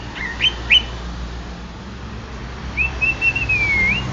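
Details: Greater green leafbird of the Banyuwangi type: two or three short clear whistled notes, a quiet gap, then a long sustained wavering whistle that slides down and back up at the end.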